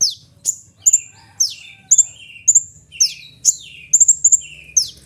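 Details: Kolibri ninja sunbird, a recording offered as a lure and training sound: sharp high chirps and downward-sweeping whistled notes, with quick stuttering double notes, repeated about every half second.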